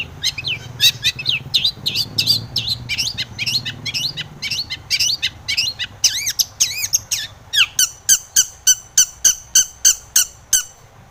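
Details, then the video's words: Long-tailed shrike lure song meant to set other shrikes singing, a long energetic medley of varied twitters and slurred whistles that shifts into a steady series of sharp, high, evenly repeated notes near the end. "KICAU SUARA cendet gacor RAJA PIKAT ini RAJANYA BIKIN NYAUT pentet lain"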